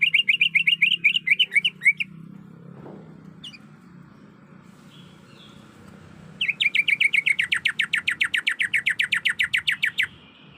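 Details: Breeding-condition female greater green leafbird calling for a male: a short burst of rapid chirps, a quiet gap with faint twitters, then a long steady series of about thirty quick, downslurred chirps over roughly four seconds.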